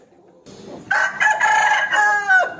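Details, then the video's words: Crowing rooster calling a rival to fight: after brief low rustling, one loud, hoarse crow of about one and a half seconds, stepping in pitch and ending with a falling tail. "Suara Ayam Jantan Berkokok | Suara Ayam Jago Berkokok | The sound of the rooster crowing"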